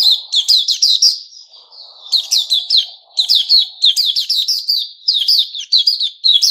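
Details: White-rumped shama singing its "sing buka" song, recorded 29 August 2021: rapid bursts of loud, sharp whistled and chattering notes repeated in quick series, with a brief softer pause in the middle and faint low murmuring underneath.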